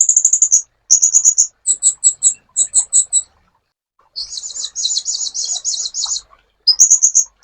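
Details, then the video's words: Sunbird song in a master recording for training songbirds: high, thin chip notes in rapid clusters, some buzzy double-banded bursts and trilled runs separated by short pauses. "MASTERAN BURUNG KOLIBRI"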